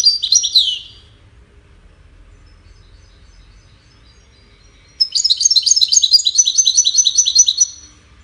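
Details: Goldfinch singing for courtship and communication: a short burst of high twittering, a silent pause of about four seconds, then a longer, rapid, jingling series of repeated bright notes.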